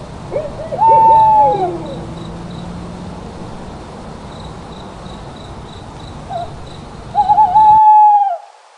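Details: At night, an owl gives a drawn-out, slightly wavering hoot near the start, then again about six seconds later, while crickets trill softly in the background.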